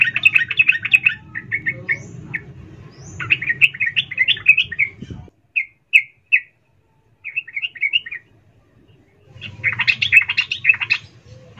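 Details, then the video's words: Female yellow-vented bulbul (trucuk) calling to a male: bursts of quick, bubbling chirps and twittering notes, with a pause broken by a few clear, separate chips, then renewed chatter over a low background hum. "Trucuk BETINA memanggil jantan"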